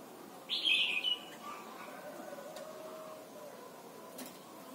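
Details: Red-whiskered bulbul from Thailand, recorded to teach young birds: one loud, rich, slightly rolling whistled phrase lasting about half a second, then only a low background hum.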